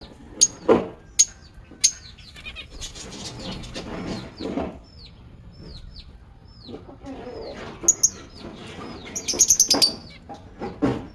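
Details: Pet lovebirds in an aviary chirping and singing: a busy mix of sharp very high chips, short downslurred whistles and scratchy chatter, with a few bursts of rapid high twittering and occasional soft rustling.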